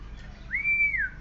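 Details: An aggressive, excited oriental magpie-robin gives one clear, pure whistle that slides up, holds steady, then drops away over faint background hiss; the recording is used as a lure to provoke other birds into singing.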